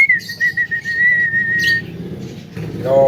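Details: Male Javan myna said to be able to talk, holding one long slightly wavering whistled tone, then a short nasal harmonic note, with low background noise.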